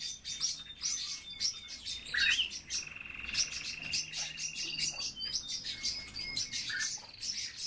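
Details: A group of European bee-eaters belonging to the recorder calling continuously: a long, level, slightly rough trill near the middle, with scattered bright chirps and purring notes overlapping throughout.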